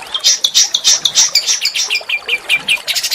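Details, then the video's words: Small songbird song, rough but melodious, used to trigger oriental magpie-robin singing: a quick run of bright, high chirps, about three to four per second, lowering slightly and softening midway. "masteran burung kecil agar murai batu gacor"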